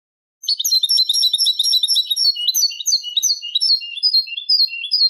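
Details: Eurasian goldfinch Málaga-style song on a tutor tape for teaching goldfinch chicks and hybrids: fast continuous twittering of high, sharp, tinkling notes with buzzy trills, delivered without pause against a clean, silent background.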